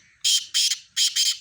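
A Black Francolin gives four harsh, grating, high notes in two quick pairs, each note short and rasping, with nothing else heard.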